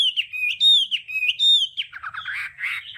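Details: Short burst of Hwamei 'đảo âm' song used for training its voice: loud, full whistles with wavering pitch, dropping into scratchy, buzzy notes at the end.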